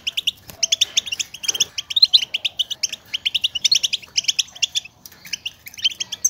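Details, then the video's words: European goldfinch contact chatter, the call wild goldfinches use to call each other and signal presence, played to stimulate males to sing and mate: rapid, bright, tinkling twitters in dense bursts, several notes per second with brief pauses, high and liquid throughout. "بتبتة الحسون, لمساعدة الذكور على التغريد و التزاوج"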